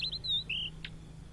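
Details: Blue-and-white flycatcher, a migrant often seen in Indonesia, gives a brief phrase: a pair of clipped whistles, a long level whistle and a lower slurred note, then a short harsh click.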